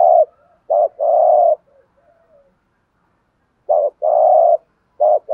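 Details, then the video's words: Spotted dove delivering its thổ sấm-style song, known for varied phrases: a short coo, a clipped double note and a long held coo, repeated after a two-second pause. "chim cu gáy ra nhiều bài"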